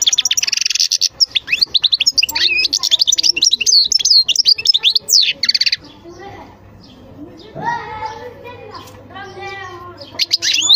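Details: European goldfinch in full song for over five seconds: dense, rapid, high tinkling twitter with buzzy trills, then breaking off as low voice-like sounds take over, before a final brief burst of twittering.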